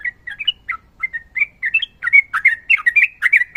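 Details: Sooty-headed bulbul singing a long training phrase, with fighting song and a female calling a male: clear whistled and warbled notes around mid-high pitch, steadily repeated, speeding into a dense bubbling run.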